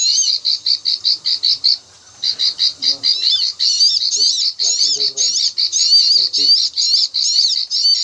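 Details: Bar-winged prinia klik-klik call from rice fields, used as a lure for trapping birds: staccato high clicks, a brief gap, then denser twittering bursts, with faint low murmurs in the background.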